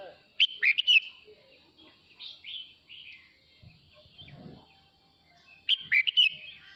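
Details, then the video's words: Male red-whiskered bulbul sings to gather the flock, repeating a rapid, lively phrase of sharp whistled chirps twice, about five seconds apart, with soft twitters between. "Chào mào trống hót gọi đàn"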